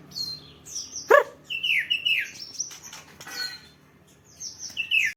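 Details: Songbird sunbathing, uttering high thin whistles and descending chirped phrases, with a couple of sharp clicks and a quiet pause before a last chirping burst.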